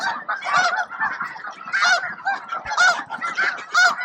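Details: Snow geese crowding and competing for space while feeding at Bosque del Apache around noon; loud nasal honks stand out roughly once a second over a busy background chorus of the flock.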